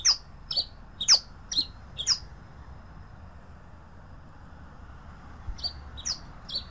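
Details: Pileated finch song: sharp high chirps with short downward sweeps, a burst of five about every half second, a pause, then three more; soft steady background hiss.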